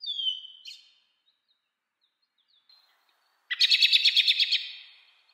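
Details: American robin calling, in 8D sound: one sliding whistled note, a long near-silent pause with faint ticks, then a rapid, rattling whinny-like trill of about ten pulses fading out.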